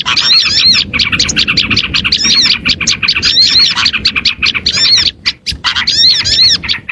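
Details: Lure recording of Oriental white-eyes meant to draw in other birds: busy, high-pitched chattering and looping whistled notes in quick bursts, with brief pauses near the end.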